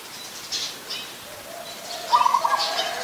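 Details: One adult zebra dove at Ubon Ratchathani, Thailand, 24 December 2020, delivers a single fast series of short, bubbling coo notes near the end, after scattered high chirps from other birds.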